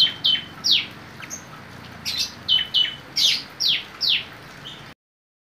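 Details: Java sparrow song with Bar-winged prinia notes worked in; a series of about eight sharp, high falling whistles spaced roughly half a second apart, each starting with a brief chip, ending abruptly.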